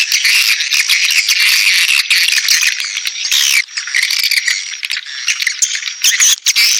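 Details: Swiftlet calling sound used to attract swiftlets: a dense, continuous high chattering of many rapid twittering and buzzing chirps, loud and unbroken throughout.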